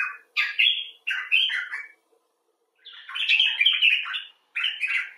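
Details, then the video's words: Common bulbul, some birds rescued and kept in a clinic for distressed birds, others filmed outdoors, giving expressive chattering: short burbled phrases of warbling notes around the upper-middle range, in bursts separated by brief pauses. "Bulbul Talk: The Common Bulbul (Pycnonotus barbatus)"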